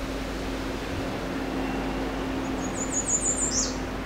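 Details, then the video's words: An American redstart at Woods Hole, Massachusetts, on 26 May 2014 sings one brief, very high series of thin, rapid notes ending in a sharp downslurred note, over a steady low hum. "American Redstart Singing"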